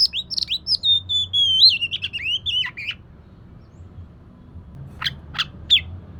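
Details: Oriental magpie-robin song offered as a lure to set a quiet bird singing: a rich run of sweet warbled whistles, wavering and sliding down, for about three seconds, then a pause and three sharp chips.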